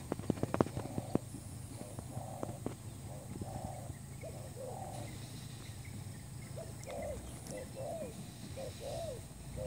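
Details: Spotted dove, a new decoy bird used to lure others for trapping. Mellow, rounded coos come in small groups, some rising then falling. Clicks open the recording over a steady low hum.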